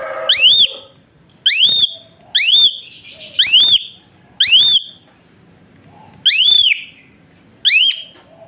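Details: Rising piercing whistles from an Asian pied starling, sung to coach other songbirds: single upward-sweeping notes delivered at uneven intervals, roughly one or two per second, with short gaps of quiet.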